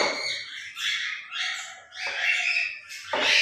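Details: Grey parrot kept as a pet, making noise at play in the morning routine: a continuous raspy, squawky chatter rising and falling in waves with no pause.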